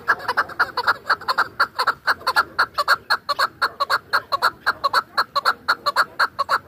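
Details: Chukar partridge used for hunting, Dashti Jum: strong, evenly spaced chuk-chuk clucking, about two notes a second, rhythmic and unbroken throughout, each note ringing with upper overtones.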